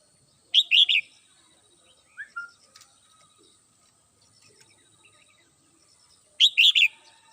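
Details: A red-whiskered bulbul kept as a pet sings in the morning, giving a clear three-note whistled phrase, a softer short note, then the same bright phrase again about six seconds later.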